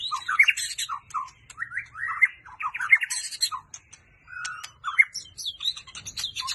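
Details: A kept white-rumped shama pours out rich song that switches voices constantly, with whistles, chattered notes and sharp high phrases shifting every second or so over a quiet background.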